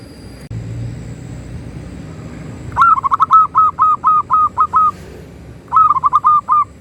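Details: Local zebra dove in loud song, used as master audio to get other doves calling: a run of about eight clipped, evenly pitched cooing notes, a short pause, then another burst of five.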